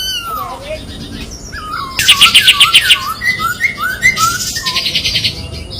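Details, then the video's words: White-eye (kapas tembak) master song for training, sharp tight besetan style: soft sliding whistles open, then a fast run of loud high chips, followed by looping whistled phrases and fainter trilled chatter. "SUARA KAPAS TEMBAK TAJAM DAN PEDAS‼️ SPESIALIS BESETAN RAPET PALING COCOK MASTERAN"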